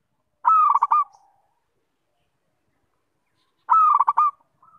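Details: Local zebra dove singing a sweet cooing phrase: a mellow note that breaks into a quick, rolling trill of soft pulses. The phrase comes twice, about three seconds apart, in a quiet setting.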